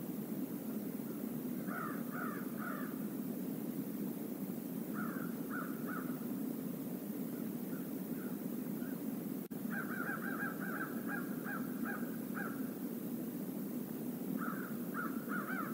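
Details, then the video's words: Several crows, a flock visiting a stream area near an eagle nest, calling in bursts of three or four harsh caws around 1.8, 5, 10 and 14.5 seconds over a steady low rumble of running water. "A murder of crows visits the stream area"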